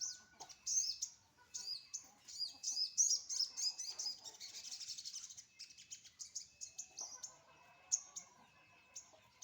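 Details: Morning-sunned sunbird, likely in a cage; lively thin twittering phrases with quick chirps, busiest around three seconds, easing into scattered notes near the end.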